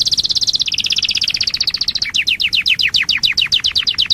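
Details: Canary of one of several distinctive breeds singing: a rapid, steady trill of bright notes that drops slightly in pitch, then switches to a slower series of repeated downward-sweeping whistled notes.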